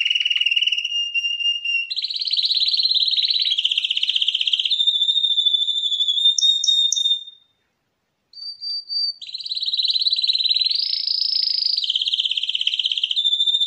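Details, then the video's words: Canary song by a 2021 champion bird: a low trill, then a louder rolling trill, a flat whistle with quick rising chirps, a second of silence, then further pulsed trills that rise and fall. "KANERYA ŞAMPİYONU - Vokal 2021 / بطل الكناري - غناء 2021 / CHAMPION CANARI - Chant 2021"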